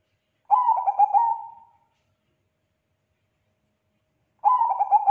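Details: Zebra dove of the Bangkok type in full song, meant to draw answers from other doves. One complete stuttered coo phrase is followed by a long silence, then the next phrase begins.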